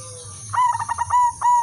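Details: Female silver zebra dove, kept as a lure to bring all types of zebra doves into breeding condition, gives a quick stuttering run of notes and then long, steady, level coos, over a low background hum.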